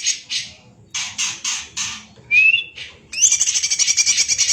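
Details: Greater green leafbird singing tightly and persistently, likened to a magpie-robin: a run of harsh rasping notes, a single rising whistle, then a sustained, rapidly pulsing high trill.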